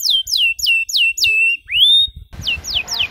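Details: Canary singing a long, richly varied song meant as a model for young canaries: a series of quick falling whistled notes, a rising clear whistle, then more falling notes over a faint background hiss.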